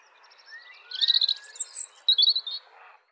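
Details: European robin singing a brief, high, thin phrase: soft rising whistles lead into quick twittering trills and a sharp, very high slur, ending with a short tinkling burst, all within about two seconds.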